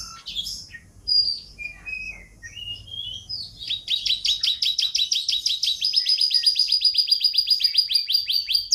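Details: Canary singing in an Indonesian tutoring recording mixed with calming water sounds. Scattered whistles and slurred notes build into a long, fast, rhythmic trill of repeated sharp, rising notes over a thin, sustained high tone.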